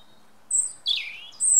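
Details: European robin singing in woodland: a brief burst of thin, very high whistled notes, then a quick twittering phrase sliding downward, and another sustained high, sibilant note at the end. No other clear sounds.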